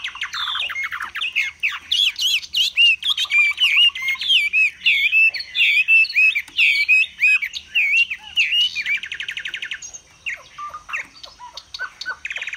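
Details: Vietnamese caged Chinese hwamei performing its spread-feather display with high singing: a long, fast, varied stream of warbled whistles and chattering notes, ending in a dry rattling trill and scattered calls.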